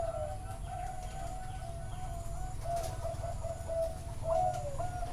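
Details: Several Zebra doves at a bird farm in Chana, Thailand, sing live: a near-continuous band of gentle, rippling coos with a few slurred downward notes near the end, over a steady low background hum.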